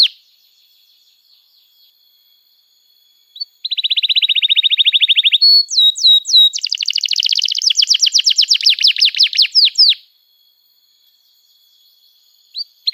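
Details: Singing canary, played as a lure to help young canaries learn their song: after a quiet start, a rapid trill, a few looping whistled slurs, then a long run of vigorous rolling notes, fading to silence with a final chirp.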